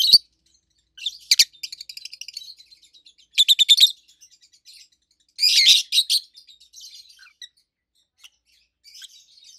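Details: Loud, high chirping from two adult rosy-faced lovebirds kept as pets, colour mutations red-head green opaline and white-head pallid aqua opaline; a sharp click, then three clusters of rapid buzzy chirps separated by softer tweets.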